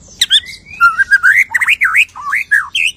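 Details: Song of a white-rumped shama just after moulting, delivering its full range of phrases: a rich, fluting whistle that slides and wavers up and down in looping notes, preceded by sharp high chips.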